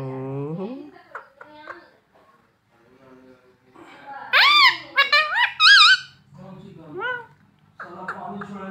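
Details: Parrot mimicking speech, including mummy and papa: a person talks at first, then the bird answers with loud squeaky sliding syllables in quick succession.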